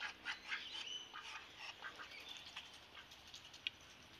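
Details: A pet Muscovy drake "talking" gives soft, breathy hisses and husky puffs, about four short bursts a second, with a faint hiss of background noise.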